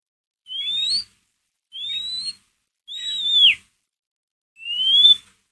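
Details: White-rumped shama ngeriwik recording meant to provoke a pet shama: four clear upward-sliding whistles, each about half a second long, repeated roughly every 1.3 seconds, the third ending in a downward bend.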